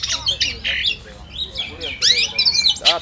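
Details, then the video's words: Oriental magpie-robin (kacer) in a simulated song contest: loud, varied whistled and scratchy phrases, rising sweeps and harsh notes in quick succession. "SIMULASI LOMBA KACER TERBAIK"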